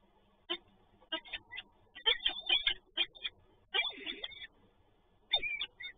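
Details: Peregrine falcon at the PGE site in Toruń, Poland, heard in the morning: harsh, rasping calls in irregular bursts, some stuttered and quickly repeated, others drawn out, with a faint low background rumble.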